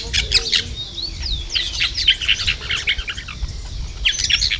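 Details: Plain parakeets, recorded 2 December 2012, giving a dense run of sharp, high squawks and quick chirping notes, some sliding downward, packed closely together without pause.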